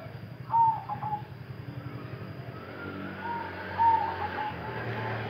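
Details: Silver zebra dove singing bekur and cetekan: two short rolling mid-pitched coos several seconds apart, partly covered by passing car noise and a steady electrical whine.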